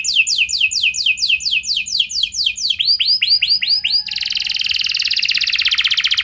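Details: Canary singing a long, rich lure song meant to start other canaries singing, with repeated falling sweeps, a few arching whistles, then a long dense buzzing trill.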